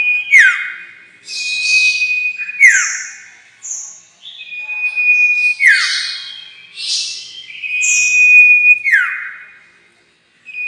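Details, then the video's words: Sirtu bird lure for trapping: a steady whistled tone underlies a busy series of falling sweeps, harsh buzzes and short high chirps, roughly one phrase every two to three seconds. "Pancingan suara pikat burung sirtu"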